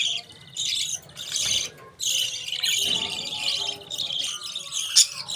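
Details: Continuous high warbling chatter from budgerigars, with dense scratchy twitters in several bursts, short dips between them, and one sharp click near the end.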